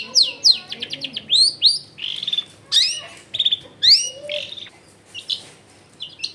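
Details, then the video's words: Long-tailed shrike singing, used at home to encourage silent shrikes to respond; fast descending high chips open, followed by rising whistled slurs, buzzy bursts and scratchy notes in a varied, rambling phrase, fading at the end. "CENDET GACOR BAHAN BUNYI ISIAN MELIMPAH CENDET DIAM LANGSUNG NYAUT EFEKTIF CENDET AGAR IKUT BUNYI"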